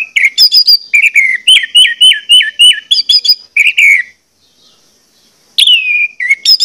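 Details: Orange-headed thrush song used as a lure to stimulate birds to sing: loud, rapid series of sharp, clear whistled notes, many repeated with dropping slurs, a brief pause, then a long descending whistle and more quick notes.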